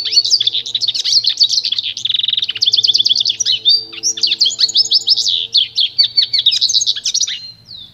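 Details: Goldfinch × canary hybrid, a pintagol, in pure training song: continuous energetic twittering with several rapid machine-gun trills, buzzy rolls and sweeping chirps, ending on a falling note; faint low hum throughout.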